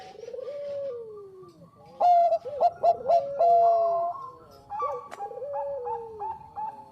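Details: Lure recording of a Bangkok-type zebra dove singing: a soft descending coo opens, then loud staccato notes lead into a long steady coo, and a fresh phrase of bubbling rising and falling notes follows.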